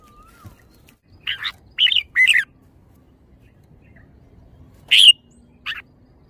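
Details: Red-whiskered bulbul song: a run of three chattering, warbled notes, then after a pause a loud single note and a softer final chirp, in an otherwise quiet setting.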